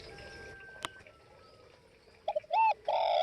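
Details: Spotted dove of northwest Vietnam giving one cooing phrase after a quiet background with a faint whistle and a click: two quick short notes followed by a long, slightly falling, hoarse coo.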